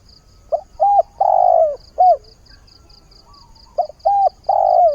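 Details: Spotted dove calling for a mate as a new day begins: two three-part phrases of short coos leading into a long, drawn-out coo, separated by a pause, over a regular faint high ticking.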